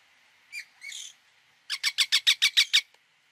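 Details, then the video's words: Indian ringneck parakeet producing two softer, drawn-out screeches, then a fast string of about eight loud, grating squawks evenly paced. "1 hour parrot sound | ringneck"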